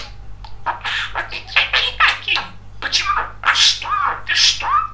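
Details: Male pet budgerigar, described as very chatty, talking clearly and understandably indoors: a fast run of chattering, word-like syllables with scratchy, warbling tones and a few rising whistled notes.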